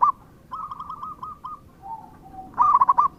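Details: Local zebra dove singing a trilled series of soft coos, a couple of lower drawn-out notes, then a loud rolling coo phrase to finish.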